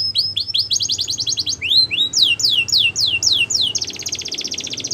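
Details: Border canary, singing to train young canaries, delivers fast rolling trills, a pair of rising whistles, a run of slower falling slurs, then a sustained buzzy rattle.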